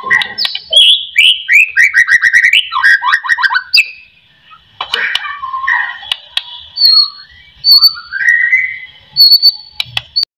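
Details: White-rumped shama song used as a lure to make lazy shamas start singing: rapid run of rising whistled and chattering notes, then a pause and slower slurred whistles, with a faint steady high tone behind.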